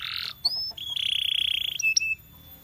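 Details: Trained canary: short buzzy burst, a thin rising whistle, then a sustained, pulsing buzzy trill and two brief high notes.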